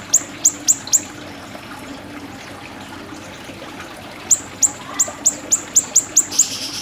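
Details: Siri-siri bird in a tutor recording for training songbirds: sharp, very high chirps in a quick run of four, a pause, then a longer run of about eight evenly spaced notes, over faint background hiss.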